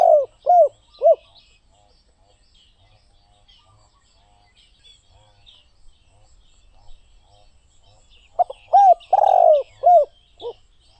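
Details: Spotted dove cooing: three short arched coos open the recording, a quiet gap follows, then a fuller phrase of short coos around a long, rolling, buzzy middle note; faint chirps of other birds above.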